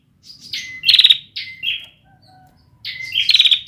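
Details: Bar-winged prinia, a young bird whose song is still forming, 2021: two rasping, rattled phrases with level whistled notes, a pause with faint distant chirps, then another phrase.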